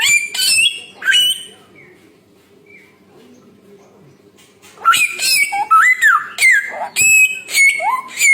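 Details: Samyong bird singing two rough whistled phrases, falling quiet for several seconds, then resuming with a dense stretch of looping whistles, upward slurs and harsh notes.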